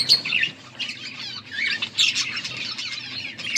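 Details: Budgerigar chatter from August 14, 2024: bright squeaky chirps and raspy warbling phrases tumble together quickly, rising in bursts and easing briefly before resuming.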